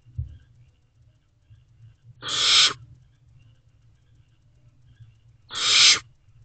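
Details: Waiting for food at night in a nest box, two barn owl siblings allopreen, 21 May 2023; two rasping hisses about three seconds apart, with a soft low thump near the start.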